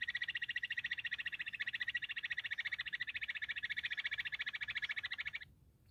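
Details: Bush quail giving a long, rapid pulsed trill, buzzy and steady for about five seconds before it stops abruptly and near silence follows.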